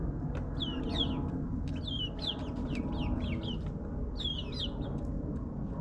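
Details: Nine-week-old backyard chickens in suburbia. Clusters of quick, falling chirpy peeps arrive in groups about every second or two, over a broad rumbling background, possibly lawn mowers.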